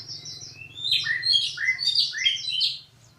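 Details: Loud, melodious magpie-robin phrase of quick slurred whistles rising and falling in rapid succession, roughly three notes per second, over a low hum.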